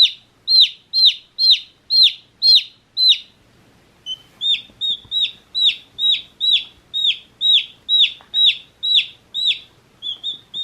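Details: Chirping of one-day-old chicks: loud high peeps slurring downward, a brief lull near four seconds, then a long regular run of similar piercing peeps about twice a second.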